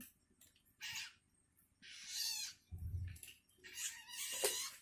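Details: Long-tailed shrike chick, hungry and calling for its parent: scattered rasping, hissy bursts separated by quiet pauses, with a low thud partway through.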